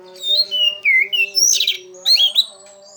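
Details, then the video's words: Orange-headed thrush singing teler song to lure a silent thrush into singing. Clear slurred whistles drop and rise in quick phrases over a steady low humming drone, with a buzzier burst in the middle. "SUARA ASLI ANIS MERAH TELER UNTUK PANCINGAN ANIS MERAH MACET"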